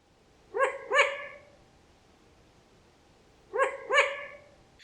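A Long-eared Owl gives short, nasal, bark-like calls in quick pairs, the two notes about half a second apart, with a pause of about three seconds between pairs.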